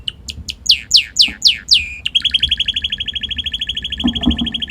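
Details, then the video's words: Hand-tame red canary singing happily in a garden after being taken outside: a run of quick, bright, downward-sweeping whistled notes, then a fast, even, buzzy trill held steadily to the end. "手のり赤カナリア鳴き声 囀り"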